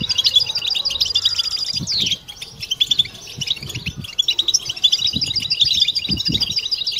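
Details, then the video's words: A collective European goldfinch chorus, used to stir birds into mating song. Buzzy drawn trills and rapid tinkling twitters alternate, a short lull near two seconds, with soft low thumps scattered underneath. "بتبتة حسون جماعية ضرورية لعلاج سكوت+تحفيز إنات لحسون قوى بتبتة جماعية لتحفيز حسون على تغريدة تزاوج"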